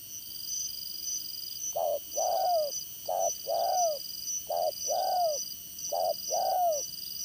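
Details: Spotted dove kept as a trapping decoy, 'Đồng Son' voice type, repeating a short coo followed by a longer falling coo four times, with a high electronic whine in the background.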